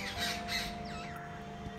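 Jungle babbler giving harsh, scratchy squawks in quick bursts, then a few thin falling squeaks, over steady background music.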